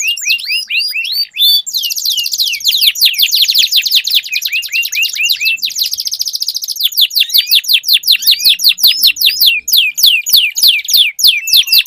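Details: Canaries singing against each other, a song to get silent canaries singing: loud dense rolling trills with repeated downslurred notes, continuous and rapid throughout.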